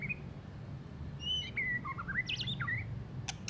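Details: A white-rumped shama, recently moulted and still twittering roughly, gives held whistles followed by a jumble of slurred, rising and falling notes, ending with two sharp clicks.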